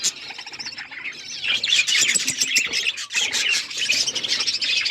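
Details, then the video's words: Pet budgies chirping and chattering together: a dense, continuous mix of high warbled twitters and short squeaky notes, quieter at first and then swelling into a busy overlapping chorus. "Budgies chirping sounds and budgies talking"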